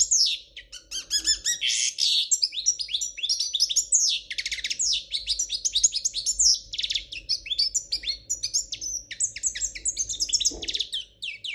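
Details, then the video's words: Long passage of royal Spanish goldfinch song: continuous, energetic high twittering mixed with buzzy rattles and sweet tinkling notes, with one brief low thump near the end and a soft hum throughout. "تغريد الحسون الاسباني الملكي خالي من الأخطاء"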